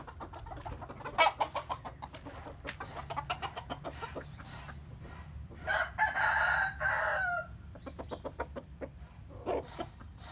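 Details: Morning crowing of a chicken: quick, irregular clucking for several seconds, then a long, loud, hoarse crow of nearly two seconds, followed by more scattered clucks.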